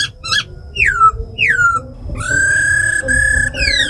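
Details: Female laughingthrush ro khẹt calls with a tame bird's forest-style song, used to excite wild-caught birds. Sharp falling whistles give way to a long, steady held whistle that repeats after brief breaks.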